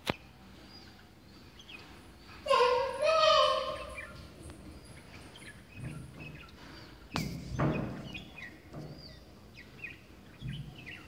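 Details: At a house window in Ratnagiri, Maharashtra, India, on 15 September 2015, one of a bulbul pair possibly reacting to its reflection as a rival gives one rich, throaty call of about a second, then a dull thump and faint chirps.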